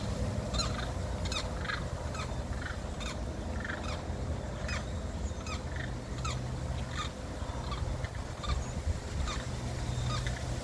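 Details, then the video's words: Limpkins in Florida in a territorial dispute trade loud, harsh, wailing screams in quick overlapping bursts, several each second, over a steady low rumble of background noise. "Limpkin territorial dispute"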